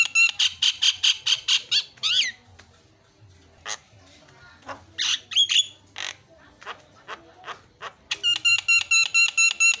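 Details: Javan myna song, used as a lure to start a silent myna singing: rapid runs of harsh, buzzy squawks repeated about twice a second, a few rising wavering notes and sharp chips between, ending in a fast train of ringing, harmonic-rich notes.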